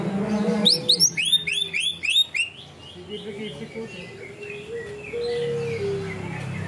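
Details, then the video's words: Greater green leafbird delivering 'ngunci kenari' material: a dense two-second volley of bright rising whistles, followed by fainter scattered chirps over a low humming tone. "cucak ijo materi ngunci kenari"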